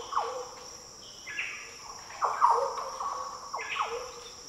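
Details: Green Oriole singing in the Daintree rainforest of tropical northern Australia: deep, liquid, fluty phrases of slurred notes, some sweeping down and some rising, given in several bursts about a second apart over a steady high insect drone.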